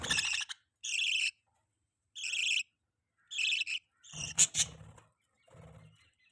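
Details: Pet budgerigars with a chick at feeding time: several short raspy chirps at first, then quieter scratchy rustling and muffled feeding noises.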